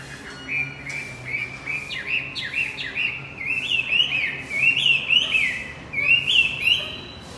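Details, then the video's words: Lure song of a Javan white-eye for a silent male bird: fast, run-on warbled twittering, slurred notes rising and falling in quick succession, with a low hum underneath. "Pancingan kicau wambi macet"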